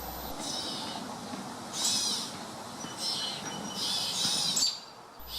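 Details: A gray catbird in woods gives harsh, raspy, cat-like calls in short bursts about every second or two, answering another catbird, while people talk quietly in the background.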